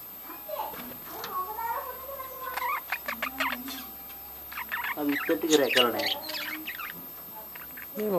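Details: Breeding colony of budgerigars, with scattered chirps, a few drawn-out level tones early on, then a denser burst of warbled, wavering notes and squeaks before it quietens.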